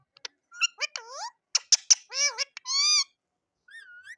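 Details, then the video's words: Rose-ringed parakeet giving its natural calls: a rapid series of harsh, harmonic squawks and screeches with rising and falling bends, some notes drawn out, then a softer rising whistle after a short pause. "Ringneck Perrot !! Natural sound of perrot"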